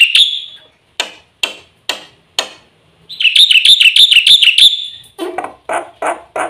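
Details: Black-winged myna song with varied fill-ins: a high whistle, then sharp separate clicks, a rapid high warbling trill, and finally lower, harsh chattering notes.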